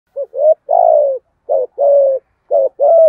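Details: Spotted dove cooing in the thổ 'thúc gù' style used to provoke wild doves into calling back; three soft low coo phrases, each a short note then a longer falling coo, about one per second over a quiet background.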